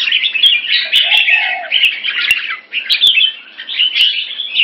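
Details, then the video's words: Singapore-kept red-whiskered bulbul during rotational sparring with fast wing display; steady, lively warbled chatter, briefly joined by short low hooting notes, with a few sharp clicks. "Jambul -สิงคโปร์เลี้ยง นกหัวจุก Dragon3 (Keke Machine Fast Beewing Display) Rotational Sparring"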